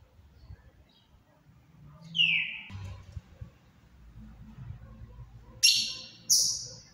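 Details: Ultramarine grosbeak (azulão) kept in captivity, singing quietly in the Paraná style: sparse whistled notes, one slurred downward, then two sharp higher notes near the end, over faint low room hum.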